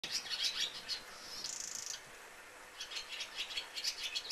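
Barn swallow twittering in a rapid, scratchy run of high chirps, with a brief thin buzzy note in the middle and more chatter after.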